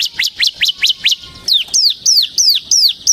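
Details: Ciblek semi gacor, the Bar-winged prinia, singing as pancingan and masteran for ciblek kristal: upswept chirps give way to slower, clear downslurred whistled notes about three per second.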